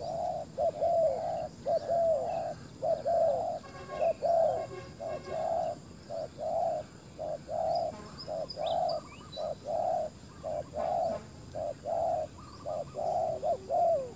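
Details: Spotted dove used as a decoy to lure wild doves, cooing steadily in low, hollow notes, about one every second, in a rural outdoor setting with faint insect hiss and distant birds.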